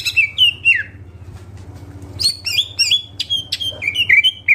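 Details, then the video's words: Short passage of greater green leafbird song full of fill-in phrases: a few slurred whistles, a quiet gap of about a second, then rapid high chirps and downward whistled notes, with a background hum. "CUCAK IJO GACOR FULL ISIAN"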